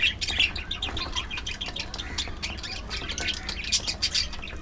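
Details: Several pet budgerigars feeding on seeds and fresh vegetables, giving a dense, continuous stream of scratchy chirps and squawks with steady low background hum.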